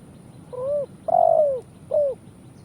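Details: Spotted dove (tekukur) from Indonesia, cooing as a trapping lure: a soft rising coo, a long loud coo that slides downward, and a brief final coo.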